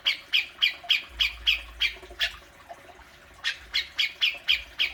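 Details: Cucak jenggot, the grey-cheeked bulbul, in besetan used to prompt kept birds to sound off: a rapid series of loud, harsh, scratchy notes about three per second, a brief lull, then the rasping series resumes.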